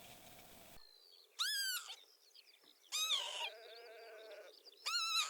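Northern Lapwing giving three loud, wheezy, slurred calls about every one and a half seconds, with faint twittering from other birds between them.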